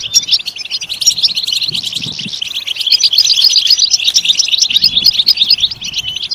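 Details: European goldfinch singing a continuous, tumbling run of high chirps and tinkling trills, steady in loudness, with brief low thumps in the background; meant to stimulate goldfinch song.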